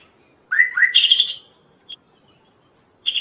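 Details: Kaso-kaso singing actively, a recording used as training material and to lure other birds: two quick rising slurred whistles, then a dense buzzy trill lasting about half a second, a lone sharp tick, and another trill starting at the end.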